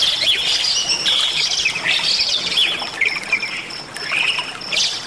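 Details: Energetic Bali myna singing with a varied fill-in repertoire for tutoring other birds: scratchy chatter, swooping upward notes and a thin steady high tone in the middle of the passage.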